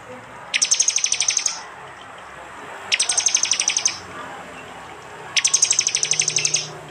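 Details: East Java prinias, phone-recorded and edited from prenjak, jali and mountain prenjak: three evenly spaced bursts of rapid high ticking notes, each about a second long, roughly every two and a half seconds.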